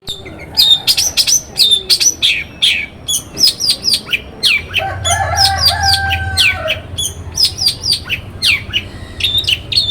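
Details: Long-tailed shrike in Banyuwangi, morning lure song meant to set other shrikes singing: a busy run of sharp, high chips and quick rising squeaks in tight bursts, with a few harsher scratchy notes around the middle.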